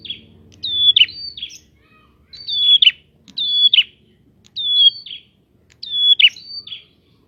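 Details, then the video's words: Prinia song used as a lure for other prinias: five bursts of bright whistled notes, each falling into a buzzy flourish and often followed by a second shorter whistle, on a nearly silent background. "Prenjak gacor!!! Pancingan untuk burung prenjak bahan"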